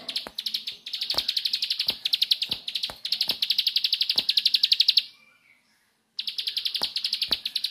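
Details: Bar-winged prinia (ciblek sawah) in the nembak song style: long, fast trains of high, even chips, nearly four per second bursting into near-continuous rattles, a sudden one-second silence, then the trains resume; sharp dry clicks punctuate throughout.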